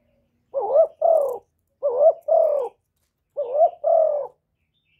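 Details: Spotted dove (cu gáy, cu đất) cooing continuously as a lure for other doves, recorded live without background noise; three paired coos, short rising note followed by a longer level-to-falling note, repeated roughly every 1.4 seconds, with a fourth beginning.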